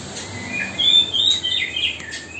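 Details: Spotted magpie-robin singing as a mastering song for fledglings being hand-fed; a short run of high whistled and buzzy notes, rising and falling, in a quiet room.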